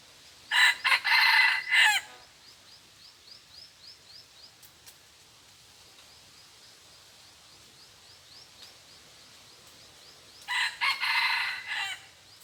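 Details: Red junglefowl at a decoy-hunting spot, crowing twice: each crow is a harsh, broken phrase of about one and a half seconds. The two crows are eight seconds apart, with rapid, regular insect-like chirps running between them.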